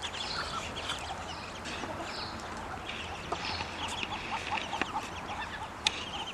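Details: Growing ducklings calling more as they get hungry: a busy stream of short, high peeps repeated rapidly and overlapping, with occasional sharp clicks and a steady background hiss.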